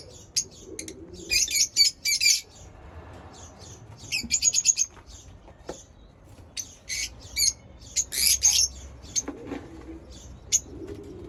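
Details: High, scratchy lovebird chirps arrive in clustered bursts of rapid chatter separated by short pauses, with soft low cooing heard at times underneath.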